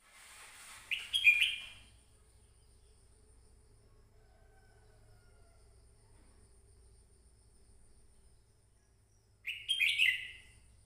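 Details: Red-whiskered bulbul with two brief, chattering warbled bursts about eight seconds apart. Near silence and a faint low hum fill the gap between them.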